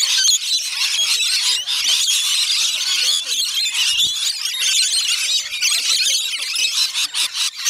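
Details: Many rainbow lorikeets screech together during a feeding session on Magnetic Island near Townsville, Queensland, Australia, an unbroken high-pitched squealing din with sharp clicks and faint people talking below.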